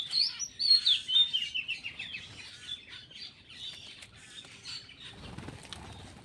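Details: Black-winged myna singing while it eats: a burst of loud, sharp whistled notes sliding downward in the first two seconds, then softer scratchy twittering that fades into rustling.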